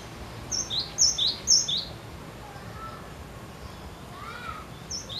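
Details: Cinereous tit singing persistently to prompt other birds to sing: four quick two-note phrases, a high whistled note dropping to a lower one, in the first two seconds, then quieter distant chirps and a soft lower whistle.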